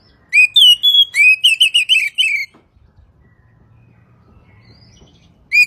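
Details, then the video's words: Kacer, the Oriental magpie-robin, in a morning-and-evening masteran tutor recording: a rapid run of about ten sweet, ringing whistles lasting two seconds, then quiet, with a new phrase starting at the very end. "masteran Kacer pagi dan sore"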